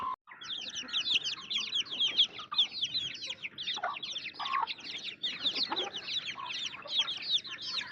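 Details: Dense, shrill peeping from many baby chicks, quick downward-sliding chirps packed closely together without pause after a brief silent start.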